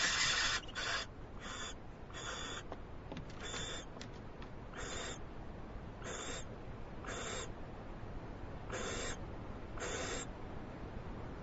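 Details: An owl filmed on a live camera on 21 February 2011 while receiving a big treat gives about a dozen short, harsh hissing bursts, loud at first, then uneven gaps of one to two seconds.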